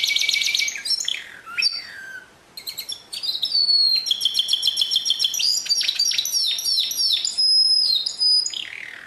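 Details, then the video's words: Pure canary song from 2016: bright high trills, a brief pause, then dense rolling phrases with long thin whistled tones and rapid downward-sweeping notes. "Chant Canari Pur 2016"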